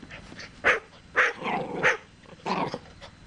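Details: Sulphur-crested cockatoo barking like a dog: three short, hoarse, dog-like barks spaced about half a second apart, then a doubled bark, over a quiet background.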